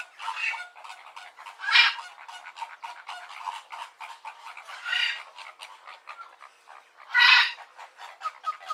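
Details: Flamingos, given as greater and American flamingo, calling steadily: a dense run of nasal, goose-like honks and grunts, with louder harsh squawks bursting out near two, five and seven seconds, as if from a chattering group.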